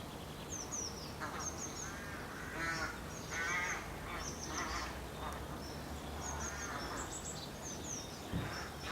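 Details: Rooks at their nests with young at the end of March, giving harsh, hoarse caws repeated in short bursts every second or so, with thin high chirps of smaller birds in the background.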